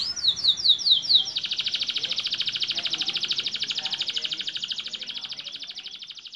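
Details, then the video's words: Young canary whose voice has just broken, singing: a few bright downslurred notes, then a long rapid even trill of high buzzy pulses that slowly fades. "KENARI MUDA BARU PECAH SUARA UDAH ISIAN MANTAP"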